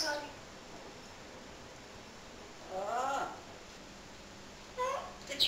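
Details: Pet male parrot speaking to its owner, saying sorry after biting her during the week; two short voice-like phrases with clear harmonics near the third and fifth seconds, otherwise a quiet indoor room.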